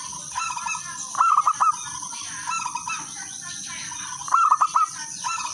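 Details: Local wild zebra dove (perkutut) in full song, a crystal-voiced melodious rhythm used to lure other doves into singing: two cooing phrases of quick stuttered notes, over a constant high insect-like hiss and background rumble.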